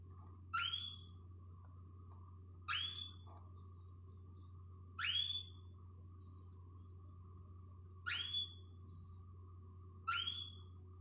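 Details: Female canary calling to arouse males, five clipped rising whistles spread over eleven seconds at irregular gaps of two to three seconds, with faint brief chirps between and a steady low hum behind.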